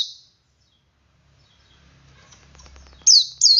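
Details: Male Oriental white-eye ngalas song, meant to stir other white-eyes to sing: a fading high note at the start, a low rumbling noise, then two loud, high, sweeping whistles at the end.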